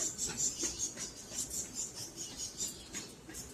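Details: Caged peach-faced lovebirds giving a steady series of high, thin chirps, about two or three per second, with faint lower clicks underneath.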